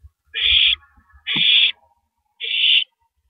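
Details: Female owl at 3:33 AM on April 9, 2012, shredding a big rabbit before swallowing it whole; three harsh, noisy hissing screeches, each under half a second, with soft low thumps and scraping around them.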